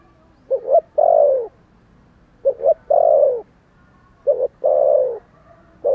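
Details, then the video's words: Spotted dove giving strong calls, three repeated phrases each of two quick low notes followed by a long, full, slightly falling coo, about every two seconds. "Thổ Sấm gáy gọi, thúc gù rất sung"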